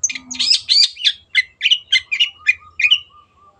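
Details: Long-tailed shrike in energetic, clear song for other birds to learn: rapid scratchy chattering, about three to four notes per second, fading through the phrase with faint soft whistles beneath.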